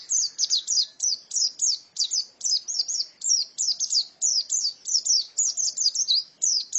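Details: Female white-eye singing, a fast, high, thin twittering of short sweeping notes in tight clusters, about three per second for the whole stretch, with a quiet clean background.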